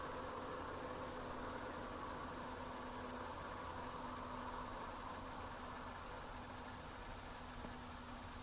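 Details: Steady broadband hiss with a low engine-like hum and faint tonal lines throughout, and no animal voice audible.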